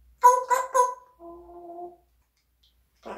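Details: A pet parrot imitating speech indoors: three quick, loud, rhythmic syllables followed by a quieter, flat, sustained two-tone hum lasting under a second.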